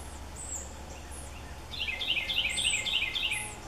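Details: Red-bellied woodpecker fledgling begging while being fed by its father; a rapid chattering series of rising notes starts halfway through, with high whistled calls of other birds repeating.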